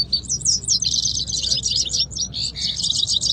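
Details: Canaries in a singing competition in Quetta, a contest between two birds. Fast, tightly packed trills pour out in high bursts, then a short lower whistled note and another trill. Steady low rumble underneath.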